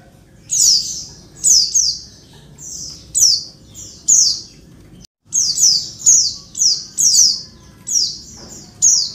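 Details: Female Oriental white-eye calling to provoke males to sing like in the wild: bright, high, falling chirps in short clusters, a brief silent break midway, then denser bursts resuming.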